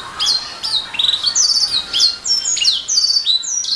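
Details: Canary song intended as master material for training songbirds: rapid run of short repeated trills and downward-slurred whistles, delivered in bursts with brief pauses, plus a faint steady hum underneath.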